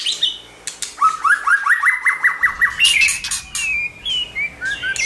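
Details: Shama song meant to stimulate a shama: a rapid run of about ten short rising whistles, then harsh buzzy bursts and a few clear gliding whistles.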